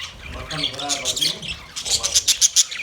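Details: Caged budgies in a master cage warble in a mix of lower, rolling tones and high chirps, ending in a quick run of sharp, evenly spaced squeaky notes.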